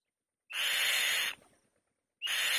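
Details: A white-tailed kite on its nest gives harsh, grating screeches, each nearly a second long, the second starting about two seconds after the first.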